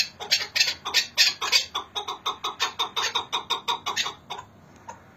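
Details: Quick rattling series of sharp clucking notes from Hakkari and Dersim chukar partridges, nearly three per second, louder at first and then steady before stopping abruptly after about four seconds, leaving near silence.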